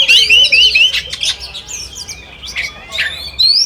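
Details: Oriental magpie-robin song in a simulated singing contest, said to make listening birds answer excitedly: clear wavering whistled phrases open, followed by sharp chips, rising slurred notes and bursts of varied warbling, with other voices overlapping.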